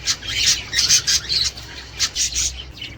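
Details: Australian budgies, sound meant to prompt mating and egg production: short run of harsh squawky warbles and scratchy chirps in quick bursts with brief gaps.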